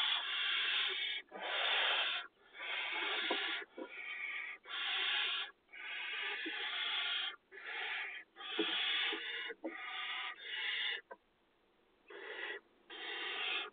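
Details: Nestling barn owls begging as they are fed inside a monitored nest box set in farmland, 2020 season; a long series of harsh, breathy rasping hisses, each roughly half to one second, separated by brief pauses.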